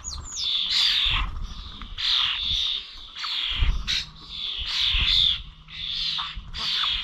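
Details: Starlings at Corby Old Village feeders on 21 November utter grating, noisy squawks, with an occasional thin whistle and a downward-sliding note. Low thumps and a steady low hum sound underneath.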